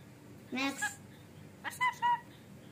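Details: Rainbow lorikeet talking inside a small room: a drawn-out rasping word-like sound, then three quick clipped harmonic syllables a second later.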